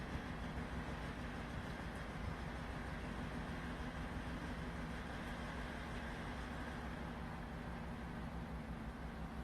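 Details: Steady droning engine and traffic hum fills the recording throughout, with no animal calls audible.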